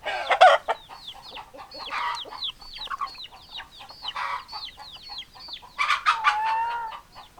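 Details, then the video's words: Hens and roosters calling together: a chorus of curved chirps and quick clucks, a loud harsh squawk at the start and a drawn-out nasal call near the end. "Chicken Sounds Noises Hens Clucking Roosters Crowing"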